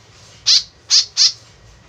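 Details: White-breasted woodswallow, a tame free-flight bird calling actively, its call used as a lure: three harsh, nasal, buzzy notes about a third of a second apart, each with a scratchy downward edge. Quiet low hum behind.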